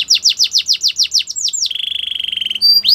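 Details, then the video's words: Canary in song for training, giving about ten descending whistled notes, each roughly a tenth of a second apart, followed by a fast even rattle-like trill and a final sharp rising note. "Canary song for training"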